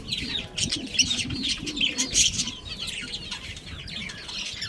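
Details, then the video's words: Budgerigar breeding pair chattering: quick high twittering chirps and warbled notes, irregular and continuous, over a faint low rumble. "Cute Budgies Chirping Sounds"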